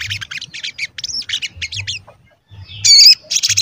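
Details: Actively singing sogon used as a lure to make other sogon sing and grow agitated, its call described as cuit cuit: dense bursts of high chattering notes, a quieter pause, then a loud squeaky phrase and renewed rapid chatter.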